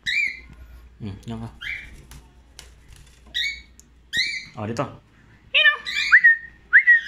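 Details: Free-flying cockatiel gives short whistled chirps that bend up and down, with a person talking between them.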